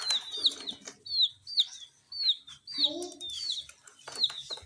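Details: Small dyed chicks chirp while eating a spicy Sun Poppers snack: a quick run of bright, high-pitched downward-sliding peeps, about two per second, with brief pecking clicks and faint lower rustles.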